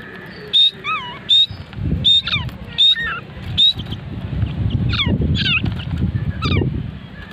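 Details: Mid-age grey francolin (teetar) calling: short, high, clear whistled notes, some with quick falling glides, repeated roughly every second in an uneven series over low rumbling and rustling background noise.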